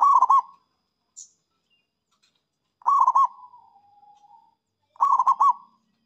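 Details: Zebra dove, a local bird sung to lure rivals, gives three short cooing phrases of fast, rolling pulsed notes around mid pitch, roughly every two seconds, the middle one trailing into a faint drawn-out hum; a brief high chirp between.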